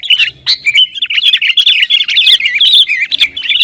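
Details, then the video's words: Sooty-headed bulbul in rapid gacor song, used to provoke rivals: an unbroken stream of quick, twisting whistled notes and chirps, bright and high. "Suara Kutilang Gacor Bikin Lawan Panas"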